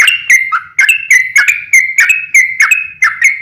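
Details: Sooty-headed bulbul singing as a lure: crisp whistled notes delivered quickly, each with a sharp start and a short sustained tone, nearly a hundred per minute.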